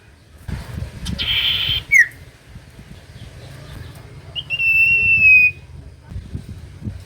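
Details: Common iora singing, used to stir reluctant birds into song: a buzzy burst ending in a falling slur, then a long level whistle held about a second that drops at the end, with low background hum.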